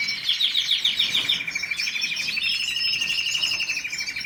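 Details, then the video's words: Canary singing a bright, continuous song of fast rolling trills, high and sweet, shifting from quick chattering pulses into a steady, slightly lower trill toward the end. "Canary song تغريد الكناري کەناری"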